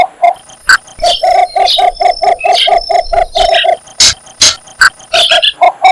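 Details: Cinnamon bittern calling for a mate, a fast run of low, grunting croaks about four per second, with sharp rustling bursts and a thin high insect hum behind.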